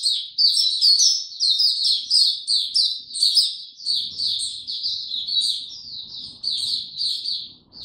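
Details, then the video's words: Caged white-eye given no health supplements and kept in power down mode, recorded 29 April 2022, opening into song: a rapid, continuous high twittering of short slurred notes with bright upper overtones, barely pausing. "Mata Puteh Hercules buka sing"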